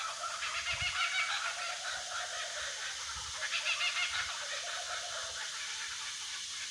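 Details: Young kookaburra still finding its voice, calling with its parents later in the day in the Australian bush. Harsh, cackling, overlapping squawks rise and fall in waves, with a louder rolling burst near the middle.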